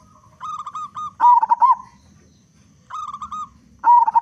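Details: Local zebra dove with a big voice singing actively, meant to trigger song in other doves: steady pulsed trills alternate with louder undulating coo phrases in a repeating sequence.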